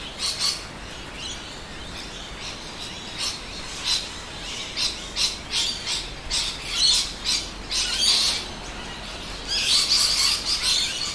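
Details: Many rainbow lorikeets, Australian parrots, calling in suburban Adelaide, South Australia, at midday in winter, alongside noisy miners. Harsh, screechy bursts overlap in an irregular, busy chorus with brief quieter gaps, recorded on a 4K handycam.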